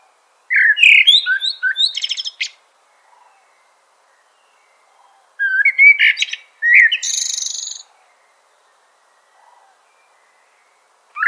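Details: Common blackbird singing separate phrases a few seconds apart, each a short run of warbled fluty whistles ending in high, scratchy twitters. The pauses between phrases are quiet apart from faint distant notes.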